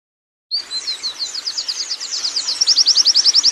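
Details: Wild Oriental white-eye singing in the rolling 'ngerol' style: after a brief silence, a rapid series of high, thin chirps around 4–7k, quickening into a fast rolling trill at the end.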